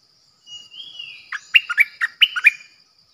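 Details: Bulbul used as a decoy, 8 May 2021: a thin, level whistle that bends downward, followed straight away by a rapid, cheerful string of about seven warbled, bubbling notes.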